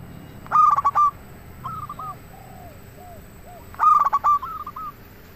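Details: A local zebra dove sings as a lure for other doves, two loud phrases of rapid stammering notes and ringing coo, separated by faint descending coo notes.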